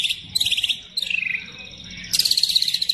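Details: Murai batu (white-rumped shama) singing hard as a lure recording: a high buzzy rattle, a slurred descending trill, then a long, very high, rapid buzzing trill, over steady low background noise.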